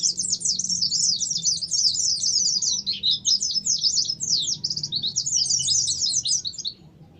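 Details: Oriental white-eye (pleci) singing in ngalas style, used as a lure to prompt kept birds to sing and unload their repertoire: a continuous, high, tumbling stream of rapid twittering phrases for about seven seconds, fading at the end.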